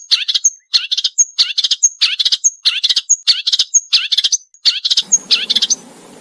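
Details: Marsh warbler repeating a sharp phrase about once every second for songbird training: a quick chatter of chips ending in a thin high whistle. A soft, low rushing sound enters at the close.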